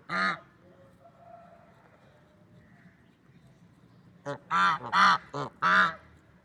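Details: Affectionate swans in the wild: one lone nasal honk, several seconds of near silence, then a cluster of five honks, the louder ones rich and trumpet-like.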